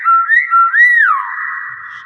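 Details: Common hill myna whistling loud tonal notes that step up and down, then swoop up and glide down into a long fading level tone. Human voices are heard around it.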